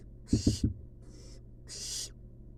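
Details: Two raspy hissing bursts from wild barn owl babies in a nest box, with three quick low thumps during the first and a soft faint hiss between them.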